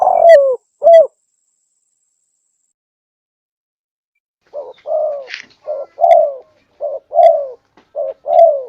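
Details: Spotted dove lure call: two low coos, a silent gap of about three seconds, then a quick run of mellow, slightly falling coos, roughly one per second. A faint higher note is heard once in the background.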